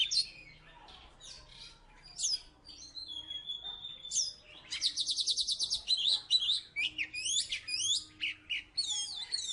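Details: Oriental magpie-robin from Salatiga, a former third-place contest bird, singing: mixed whistles and chatter, then a fast rattling trill of repeated notes followed by looping whistled phrases.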